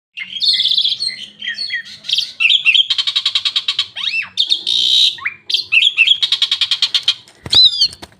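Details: Asian pied starling song: a busy medley of high chattering trills, rapid repeated buzzy notes, whistled upslurs and harsh squawks, delivered in quick bursts with short gaps.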